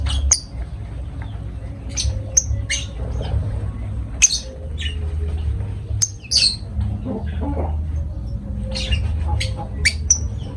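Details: Lovebirds give short, piercing squawks and clipped chirps, spaced irregularly about every second or two over a constant low hum.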